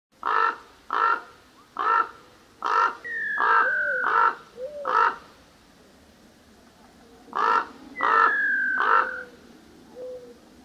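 A common raven gives about ten harsh, hoarse croaks, in a quick run then a later group of three, with a few thin whistled notes between.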